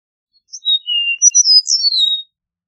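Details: Eastern meadowlark singing a bright whistled phrase of about seven notes, opening high, dipping lower, then a cluster of high slurred whistles gliding down to a drawn-out ending note; nothing else heard.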